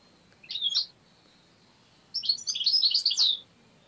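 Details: Tame European goldfinch, kept as a pet bird and prompted to attack a hand and bite a finger, sings in two bursts of high, scratchy, jumbled twittering notes over a faint room hum.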